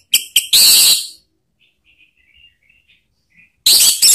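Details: Orange-headed thrush calling so that other birds join in and sing openly. Loud, harsh, very high bursts open and close the recording, with faint, thin whistled notes in the quiet gap between them.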